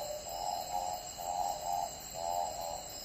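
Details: Tawny frogmouth in forest in the Philippines giving soft, low humming oom notes in swelling pairs, about one note every half second, over a steady high hiss of background insects.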